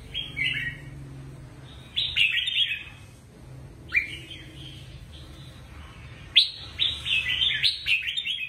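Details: Red-whiskered bulbul kept in a cage, singing to stir up other caged birds: several cheerful chortled phrases separated by short pauses, ending in a longer, jumbled run of quick whistled notes over a faint low hum.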